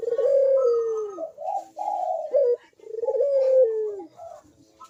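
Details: Ringneck dove (puter) in full, lively cooing, a lure for doves reluctant to call. A long, low, descending coo is followed by two shorter rolling coos. The long falling coo then repeats, with a faint short note to finish.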